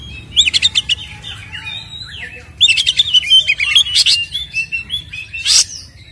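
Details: White-rumped shama fighting song intended to rouse captive birds: a fast stuttering series of sharp notes, then a pause before flowing, varied whistles and a harsh burst near the end.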